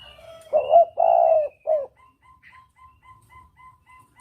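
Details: A spotted dove gives a "kuk dobel" (double kuk) lure call: three low, hollow coos, the middle one longest, followed by a steady series of faint, evenly spaced high tonal pips.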